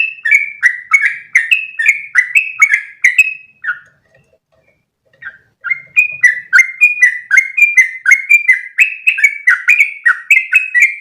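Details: Sooty-headed bulbul in long 'ropel' song, recorded to train other bulbuls: quick bubbly whistled notes stream for several seconds, stop briefly with faint soft sounds, then resume in an equally fast, rolling series.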